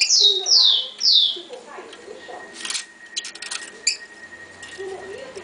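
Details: Female rufous-collared sparrow soliciting mating: three loud, high, sharply descending notes about half a second apart open the recording, followed by people talking and faint clicks.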